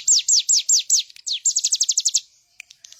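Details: Bar-winged prinia song for training cage birds: a run of five loud descending high whistled notes, then a faster series of about nine quick downslurred notes, ending with a few sharp ticks.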